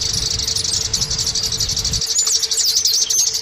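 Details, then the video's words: Oriental white-eye lure song for coaxing caged birds to sing: rapid high twittering with thin rising and falling whistles over a steady low hum, and a low rumble during the first two seconds. "Terapi Pancingan Pleci Supaya Cepat Bunyi"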